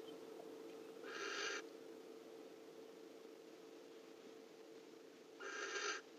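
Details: A barn owl on a webcam gives two harsh, hissing screeches, each about half a second long and some four seconds apart, over a steady low hum.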